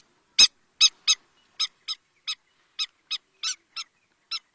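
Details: River lapwing (Vanellus duvaucelii) call: one loud opening click, then a series of sharp, high, harsh notes, about two or three a second at an uneven pace.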